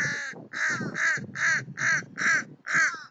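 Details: Young American crows learning alarm calls: a rapid series of harsh, raspy caws, about seven in three seconds, loud and evenly spaced with brief gaps.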